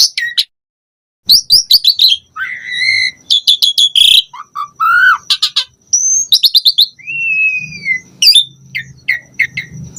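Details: Asian pied starling in vigorous varied song, used to stimulate other starlings: bursts of sharp chirps, a buzzy rising phrase, looping whistles, a drawn-out falling whistle and short clipped notes, with a faint low hum beneath.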